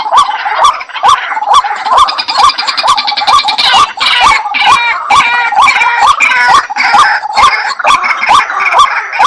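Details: White-breasted waterhen calling in a rapid, regular series of short rising notes, roughly two per second, with sharp clicking sounds between them and other overlapping calls layered in the background.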